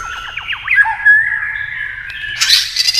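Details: White-rumped shama singing against a TV in a singing duel: a quick run of descending slurred whistles, then a sustained clear whistle and a harsh, broad burst near the end.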